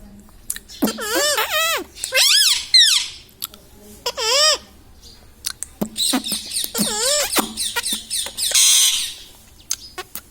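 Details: Pet talking parrot chattering non-stop in human-like words such as "Mummy" and "Papa": a run of clear, wavering, rising-and-falling voiced syllables in quick bursts, ending in a harsher rasping phrase, in a quiet indoor setting.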